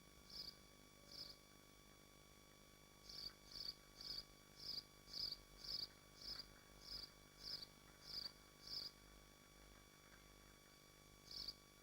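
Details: Nest livestream of swifts in Machynlleth, Dyfi Biosphere: a run of about fifteen brief, high, buzzy bursts, mostly evenly spaced near two per second after a short pause, over a faint constant hum.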